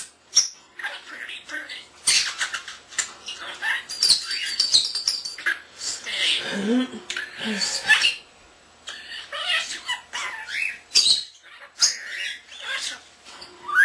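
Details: Common starling kept as a pet, under a year old, talking and mimicking: a long run of garbled speech-like phrases mixed with squeaks, clicks and rasping notes.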